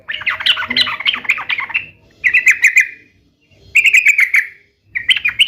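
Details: Energetic sooty-headed bulbul song played to spur caged bulbuls into singing back: a rapid chattering run, then two separate bursts of fast, rolling whistled notes broken by short silences.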